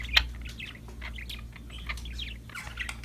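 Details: Budgerigars heard as a soft, busy chatter of many quick overlapping chirps and twittering notes, one sharp click near the start, set against a noticeable low droning hum.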